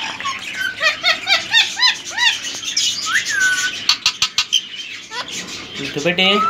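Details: Healthy male ring-necked parakeet, three years old and semi hand-tamed: series of short arching chirps, a downward whistled slur, then a burst of quick clicking notes and squawks.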